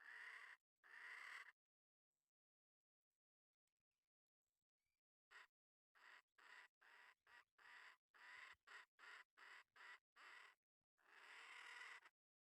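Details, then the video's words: Wild red junglefowl hen calling to the rooster, giving two short hoarse notes, a quiet pause, then an uneven series of brief clipped calls ending in one longer drawn-out note. "TIẾNG GÀ MÁI RỪNG GỌI TRỐNG"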